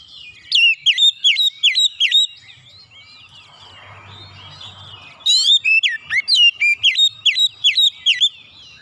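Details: Oriental magpie-robin delivering 'nembak' bursts with fill-in phrases: clear, loud, whistled notes that dip and rise, repeated in a fast series, then a short soft muttering gap over low hum before a second run of ringing whistles.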